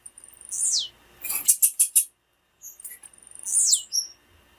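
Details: Female blue-black grassquit calling, used to excite and stimulate a male's singing: two high, thin notes sweeping sharply downward, separated by a quick burst of dry clicking chips.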